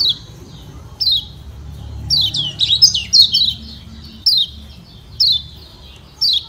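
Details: Kecial kuning, the yellow white-eye of Lombok, giving its ciak ciak call that sets other white-eyes singing: single and clustered high, downslurred chirps spaced about once a second, with a busier run midway.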